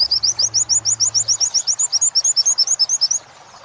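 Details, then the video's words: Oriental white-eye wit-wit sambung kunti material for training captive birds: around twenty very high, upslurred whistled notes repeated about six times a second in an even series, then stopping, with a faint low hum at first. "Masteran pleci wit~wit sambung kunti"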